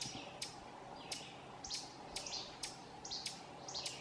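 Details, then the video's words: Ovenbird calling in scolding mode, Essex County, Vermont, 18 June 2016, at a national wildlife refuge; crisp repeated chips about every half second, some doubled, with softer high rustly notes between. "Ovenbird (Seiurus aurocapilla) Calling Scolding"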